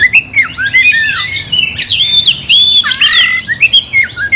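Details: Provoking song of a gacor oriental magpie-robin, meant to anger a rival: looping whistled slurs rising and falling, with a few scratchy notes between sweet tones.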